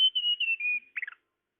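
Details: Tledekan lure sound: a brief high whistled phrase sliding gently downward, followed by a quick burst of twittering notes.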